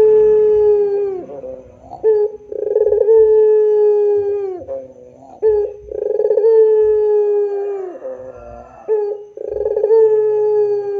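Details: Repeated pelung coos from a puter dove, roughly every three to four seconds, each with a short note, a throbbing roll and a long level tone falling away at its close.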